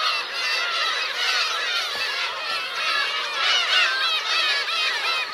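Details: Many Black-tailed gulls, parents and chicks together on Teuri Island's Kurosaki shore in Hokkaido, June 2021, giving a continuous tangle of nasal, bending mews that overlap without pause.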